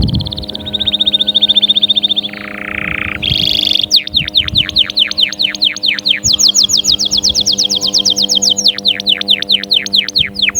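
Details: Fierce canary singing to motivate caged canaries: a steady high trill, a harsh buzzy burst, then long rolls of falling whistled notes repeated several per second.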